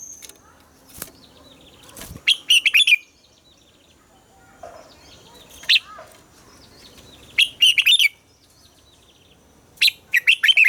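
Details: Red-whiskered bulbul morning song meant for training captive bulbuls: four short bursts of fast warbled notes spaced a few seconds apart, with faint background chirps and sharp clicks.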